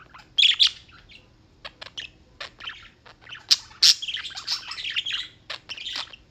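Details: Chirping birds in New York, United States: scattered sharp high clicks and chirps, then a louder stretch of overlapping squeaky twittering.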